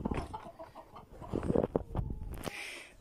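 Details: The family's hens cluck in short, low, irregular bursts in a spring vegetable garden, a few louder clucks standing out near the middle, while a woman talks over them.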